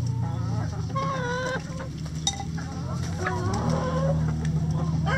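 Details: Chickens in a coop, several hens clucking in overlapping, uneven phrases over a steady low hum, with soft murmuring notes rising and falling throughout.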